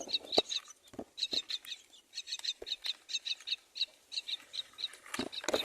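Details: Myna chicks, four nestlings, calling at the nest while being fed by their mother: rapid harsh, buzzy chirps repeated in quick bursts, with a few soft low thumps between.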